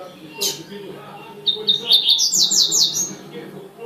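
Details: Double-collared seedeater (coleiro tuitui) song: a sharp high note, then a run of quick repeated chips building into rolling buzzy trills, with faint low-pitched room noise and murmuring in the background.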